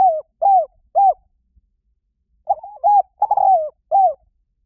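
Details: Spotted dove coos played to lure birds; the tail of one phrase with two rounded falling notes, a pause, then a new phrase of soft coos with a longer rough middle note and a clear closing hoot.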